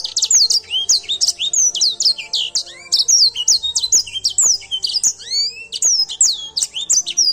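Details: Edel Sanger canary in full, lively song: a continuous run of rapid, high-pitched chirps and down-slurred whistled notes, densely packed and varied, over a faint steady low hum.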